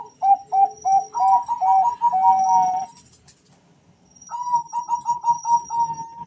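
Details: Pair of male Bangkok zebra doves answering one another: a fast string of bright coos shifting between two pitches, a two-second pause, then a second even run of short whistled notes.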